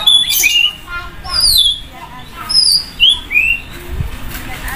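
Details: White-rumped shama (murai batu) set out to sun beside a busy main road, loud and rich in varied phrases: clear whistled notes, a long falling slur and quick rising upsweeps in separate bursts, with faint traffic rumble beneath.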